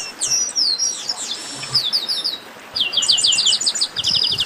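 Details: Loud Chestnut-capped blackbird 'baderna' chorus: tumbling high whistles and downslurred notes, then a fast, evenly spaced string of bright clipped notes repeated about eight times, followed by more chatter.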